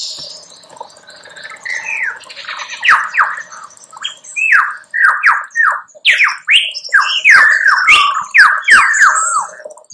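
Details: Lyrebird song: a fast, varied stream of loud descending slurred whistles, about three per second, mixed with harsher squawk-like notes, against a steady high buzzing hum.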